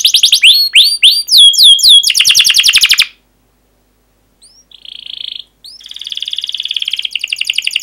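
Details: Canary giving a long emotional song with chirps and rolls, meant to coax young canaries into singing: swooping notes speeding into a fast trill, a silent gap, a short buzz, then a steady rattling roll.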